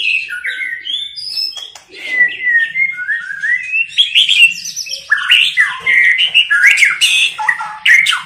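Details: Female white-rumped shama giving tạch líu calls meant to excite males to fight: a continuous stream of varied clear whistles, short slurs and quick chirps, bright and high throughout.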